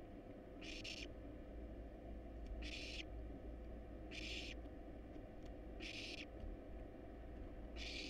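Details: Hungry barn owl nestlings in a monitored wild nest box, fed a rat and a rabbit, produce harsh breathy snore-hisses about every 1.3 seconds, five in all, over constant low humming.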